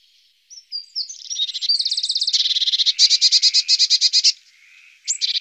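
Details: Eurasian blue tit: a few thin rising whistles lead into a long, fast, buzzy scolding rattle of evenly repeated high notes, ending abruptly, then another brief rattle begins.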